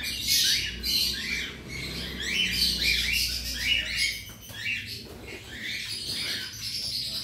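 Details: Cockatiels in a colony aviary of about a hundred birds, during routine cage cleaning, calling in a loud, high, shrill chorus of repeated rising-falling screeches, tightly packed, with little background noise.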